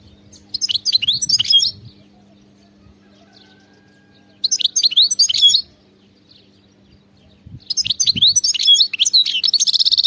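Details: Goldfinch song in the wild khalawi style, in three separate phrases of fast, bright chattering and liquid twittering with some buzzy elements. Gaps of about two seconds between phrases, and faint low background rumble.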